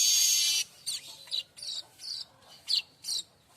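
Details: Streaked weaver singing, recorded as tutor song for other songbirds such as magpie robins and shamas; a harsh buzzy burst opens, then a series of short sharp chirps and squeaky notes follows at an irregular pace.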